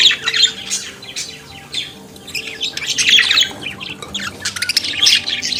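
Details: Chattering song of a budgerigar, the Australian parakeet: scratchy, buzzy warble running almost without a break, with clicks and brief whistled notes.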